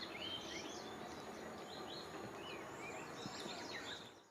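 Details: Various small wild birds singing by a pond near an athletic park in Japan on 6 June 2020. Several bright, whistled phrases rise and fall, some overlapping, over a faint continuous hiss.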